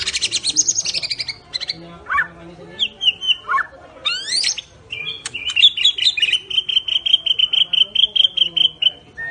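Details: ["White-rumped shama of the Medan variety in 'cililin' and 'besetan' style: high whistled phrases and sweeping upward notes, then a long, rapid chain of even repeated notes."]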